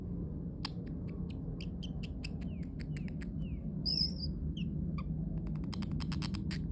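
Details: A parrotlet, kept as a pet, making cute sounds: many brief high ticks and chirps, a few short downslurred notes and a clear whistled note midway, over low background hum.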